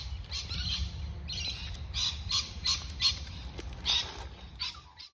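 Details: Two female Australian magpies, siblings, being hand-fed by a person at a local reserve, give short, harsh squawking calls, roughly three a second, over a steady low rumble of background noise.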